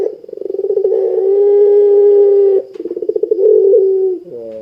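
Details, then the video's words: Energetic cooing of a puter pelung Barbary dove, played to trigger other doves: accelerating pulsed notes swell into a long level coo, then a second rippling phrase and a brief low, harsh falling tail. "Suara Burung Puter Pelung Gacor Bikin Puter Pelung Langsung Ikutan Gacor"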